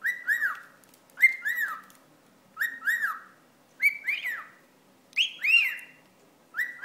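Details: A pet cockatiel, annoyed by a wad of paper towel, gives loud, harsh double-noted screeches in bursts about every 1.3 seconds, each falling in pitch with a raspy edge.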